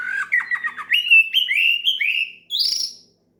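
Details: Oriental magpie-robin belting out a challenge song toward a rival, a run of sweet whistled notes climbing steadily in pitch, ending in a high buzzy flourish.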